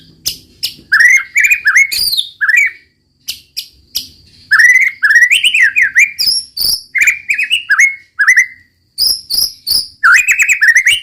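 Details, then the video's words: Loud roll tembak song of a white-rumped shama (murai batu): rapid varied whistled phrases mixed with sharp high chips and brief silences, a near-continuous stream of notes. "muraibatu roll tembak ajib bikin lawan naik emosi dan ikutan gacor"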